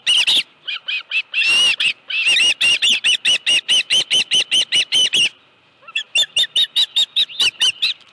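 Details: On 25 July 2018 at 5:23 PM an osprey at the Dunrovin Ranch nest with a live fish calls in loud, rapid, shrill chirps, pauses briefly, then resumes with a quicker, slightly thinner series.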